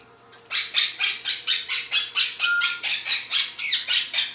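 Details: A pet parrot, a Quaker parrot or an African grey, gives harsh, grating squawks in a rapid series, about four each second.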